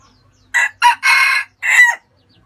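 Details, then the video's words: Crow of a red junglefowl from Vietnam, loud and close: two short notes, then a long rasping held syllable and a falling closing note, the whole call roughly one and a half seconds long, with little else audible. "Tiếng gà rừng rặc gáy hay nhất Việt Nam"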